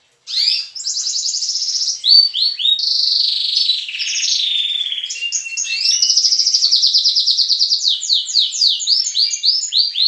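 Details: Young and adult canaries singing together at dawn in a breeding room, high rapid trills and rolling tours shifting pitch, fast repeated notes about twice per second, loud and continuous.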